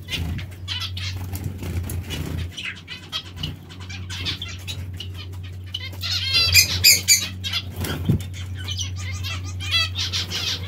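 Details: Finches, zebra or Bengalese, during bath time: quick nasal chirps scattered through splashing and fluttering, rising to a dense burst of buzzy calls midway, with a low electrical hum throughout.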